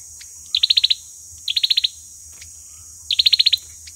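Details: Olive-backed sunbird giving its fighting song as a trapping lure: three rapid rattling bursts of high, sharp notes, about six per burst, separated by pauses, with a thin hiss underneath.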